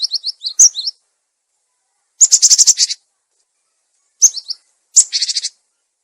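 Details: Cinereous tit, used as a lure and to prompt silent caged birds: quick high chirp phrases mixed with rasping, buzzy chatter bursts, no background noise.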